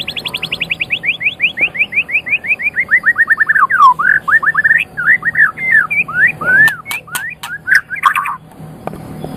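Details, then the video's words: Caged white-rumped shama song used to tutor pet songbirds: a rapid accelerating series of descending whistled notes, followed by varied looping whistles and sharp clicks, with a faint low hum underneath. "Suara Burung Murai Batu"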